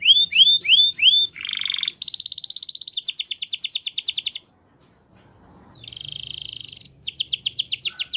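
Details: Spanish Timbrado canary delivering rising whistled notes, then a rapid metallic trill and a slower rattle, a short pause, and a dense buzzing roll followed by fast repeated notes.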